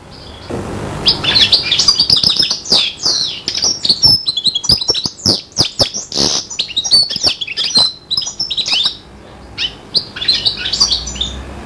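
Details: Goldfinch-style song from a serin crossed with a bronze canary, five months old: a long, busy run of sharp chirps, trills and twittering notes, dense and high, pausing briefly before resuming at the end.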